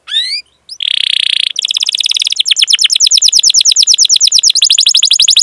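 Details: Canary song used as a training lure for young, untrained or silent canaries: a few high rising whistles, a brief buzzy burst, then long fast rolling trills of bright chirped notes, about three per second, repeated without pause.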